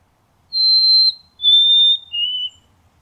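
White-throated sparrow singing three pure, clear whistled notes, a long high one followed by two slightly lower, steady tones, with nothing else heard.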